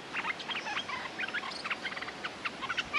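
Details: Lure recording of a territorial Streak-eared bulbul set on fighting: steady, busy chatter of short abrupt notes in small groups, some higher whistled accents, through the whole stretch.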